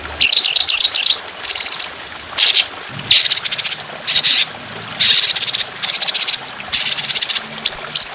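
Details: Trotolan, an Indonesian songbird, on a songbird training recording of rough, long, sustained bursts: high, dense chattering phrases in short bursts separated by brief pauses, some trilled with a rapid rhythmic pulse.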